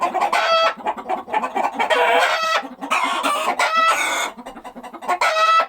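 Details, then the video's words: Chickens calling in loud clustered squawks and clucks, with drawn-out harmonic cries rising out of the busy clucking and a quieter stretch near the end. "The sound of chickens."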